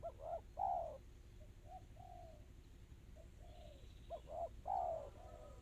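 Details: Tekukur crystal song from a spotted dove: a bright double coo and a ringing falling note, quieter coos in the middle, then another quick, tight phrase, all over a low background hum.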